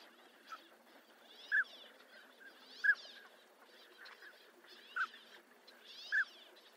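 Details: Northern pintail (Anas acuta) calls: short, soft fluty whistles blended with a wheezy hiss, about four calls spaced a second or so apart over faint background murmur.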